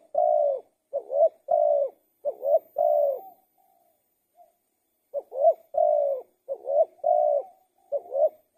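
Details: Spotted dove singing a long series. About six quick phrases of a dipping coo plus a sustained coo, a short lull with faint soft notes, then more phrases in the same pattern.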